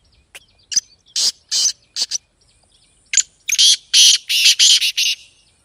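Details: Black francolin (kala teetar) calling, a recording meant to be played to a kept bird to make it call and become active; loud, harsh, grating bursts, a few spaced notes then a rapid run of clipped rasping syllables.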